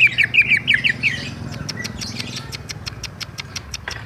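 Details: Greater green leafbird (cucak ijo), Bali type, in 'ngerol' style. It opens with six loud, quickly repeated slurred whistles, then goes on with softer clicking and ticking notes, about three a second, over a faint low hum.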